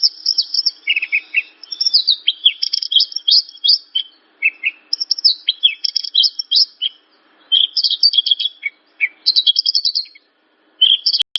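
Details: Javan bush lark singing an extended medley of rapid chirps, buzzy clusters and downward slurs in phrases separated by short silences, with a click near the end. The song is meant to trigger other larks to sing.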